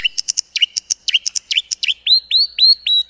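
A Red-faced Cisticola gives a rapid burst of sharp, high chips, then four loud, clear whistles that each rise and then level off.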